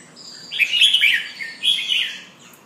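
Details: Red-whiskered bulbul pumping and singing: two loud, cheerful warbled phrases in quick succession, rich and slightly slurred, each under a second long.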